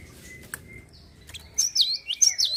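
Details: Java sparrow singing to provoke other birds into song: after a quiet start, a burst of high, bell-like chirps and looping whistled notes follows, with a thin steady whistle tone underneath.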